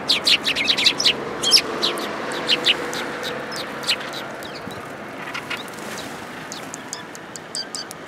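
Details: Several Eurasian tree sparrows arriving to be fed at a Tenmangu shrine on 19 January 2022; a burst of sharp, bright chirps crowds the first three seconds, then scattered fainter chirps over steady background hum.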